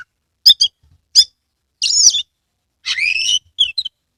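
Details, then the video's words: Oriental magpie-robin from Kebumen, Central Java, tail opened, in lively song: a few crisp paired chips followed by two long buzzy warbled phrases, the second sliding down, and closing soft notes. "Kacer gacor"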